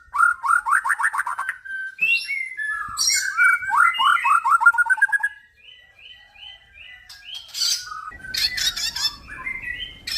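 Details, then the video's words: A crossbred male white-rumped shama of the F series sings rapid stuttering chattery phrases, then short repeated whistles in an evenly spaced row, followed by harsh scratchy notes. "murai batu hasil silangan F series"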